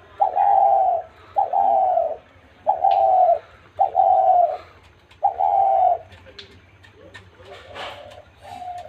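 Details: Spotted dove giving its sweet call: a series of five mellow, mid-pitched coos of about half a second to a second each, repeated at irregular intervals, followed by fainter murmuring and background noise.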